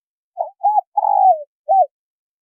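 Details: A male and female spotted dove pair, recorded to attract wild doves, gives one clean phrase: a short coo, a curved coo, a long vibrating downslurred coo and a final short coo.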